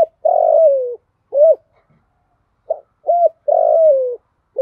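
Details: Female spotted dove calling to lure and excite males, a 'thổ pha' voice with a single trailing end note. Short mellow coos alternate with a long, slightly falling, drawn-out coo, the phrase repeated twice with clear silence between.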